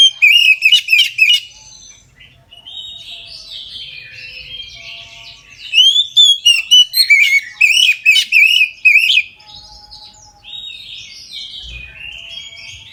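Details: Oriental magpie-robin in 'ngeplong' full song at midday, used to get other magpie-robins singing: loud rapid note series at the start and in the middle, separated by quieter varied warbling and chatter.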